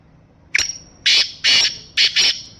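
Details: Black francolin, known locally as kala teetar, a home-bred bird of the Sindhi type, giving loud harsh grating call notes in a broken series of about five bursts, with a quiet background.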